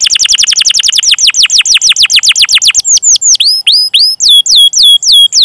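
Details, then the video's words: Canary song meant as a lure for young or silent canaries: a long rapid roll of descending whistled notes, then slower, louder sweeping whistles, finishing with evenly spaced downslurred chirps about three per second. "Masteran Suara Burung Kenari Gacor Panjang cuit cuit Ngerol untuk Pancingan Kenari!"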